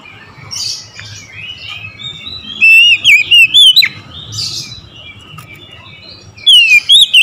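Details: Oriental magpie-robin singing in the morning: gentle squeaky warbling, then a loud rapid phrase of bright whistled notes bending up and down, a quieter spell, and another burst beginning at the end.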